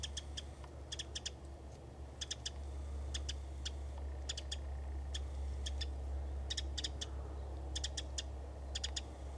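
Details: Winter wren at Hassayampa River Preserve on February 11th, 2011, giving sharp, dry clicking call notes in quick doubled and tripled bursts, repeated irregularly, over a low steady hum.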